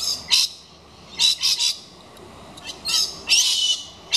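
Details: A galah inspecting a nesting box put up for kookaburras, on 15 October 2019, screeches at length, giving harsh, rasping screeches in bursts of one to three, some drawn out, with short pauses between them.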